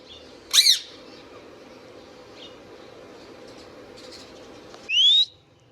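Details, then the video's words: Indian ringneck parakeet, a pet bird, gives one sharp harsh squawk, then after a long quiet stretch a single clear whistle rising high. "Indian Ringneck parrot natural sounds | Ringneck parakeets sounds video"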